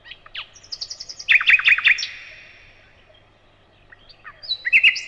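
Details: Song of a nightingale: rapid high ticking notes, then a burst of loud, sharp, repeated strokes, a quiet pause of about two seconds, then another loud repeated phrase begins. A clean recording with no other noise.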